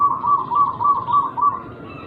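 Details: Local wild zebra dove with an unusual rhythm, its song used to stir rivals into singing: a steady string of about six soft, rounded cooing pulses.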